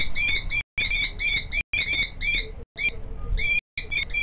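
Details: Female common kestrel screeching in the background while the male prepares a nest scrape in front of her; sharp, high repeated notes in short bursts separated by brief gaps, with low background rumble.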